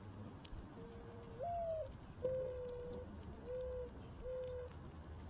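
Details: Mourning dove cooing: a low, hollow note sliding upward into a higher held coo, followed by three steady, mellow, drawn-out coos, each lasting about half a second, against a quiet background.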